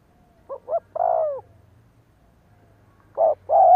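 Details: A spotted dove used for decoy training coos. Two quick rising notes lead into a long falling coo, and after a quiet spell two more mellow coos begin another phrase. A low steady hum sits underneath.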